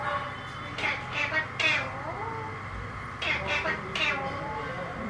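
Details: Talking Alexandrine parakeet producing harsh, voice-like bursts with shifting tones, grouped in two clusters separated by a pause, over a constant low electrical hum.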